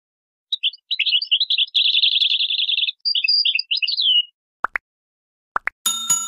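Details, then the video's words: European goldfinch pure song used to teach other goldfinches: high, rapid twittering and buzzy trills run for about three seconds, then scattered notes, two sharp clicks and a brief harsh burst of noise at the end. "How to teach the pure song of goldfinches and songbirds"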